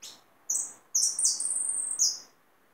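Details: Captured hooded siskin in song, giving a fast, high-pitched warble of sweet, buzzy notes and short slurred whistles, delivered in two bursts, the second sustained for over a second before fading.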